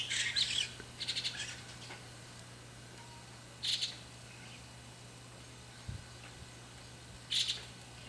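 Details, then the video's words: Young white-cheeked starling giving harsh, raspy screeches: two quick bursts together, then single ones about every three to four seconds, over a faint steady hum. "ムクドリの幼鳥の鳴き声 Young bird of the starling"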